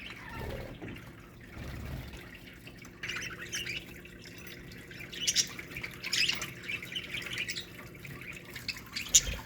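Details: A budgerigar colony in an aviary is quiet at first, then breaks into lively warbling and scratchy chirps from several birds over the second half.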